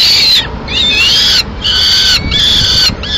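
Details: Peregrine falcons at a nest in Madrid, May 2016, as the female feeds pigeon to two chicks. Four long, strained wailing calls follow closely, each holding level and then sliding at the ends.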